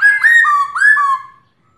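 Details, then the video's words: Calling female black-throated laughingthrush, aimed at a male: two rich whistled phrases, each opening high and stepping down to a lower sustained note, followed by quiet. "Khướu mái gọi trống"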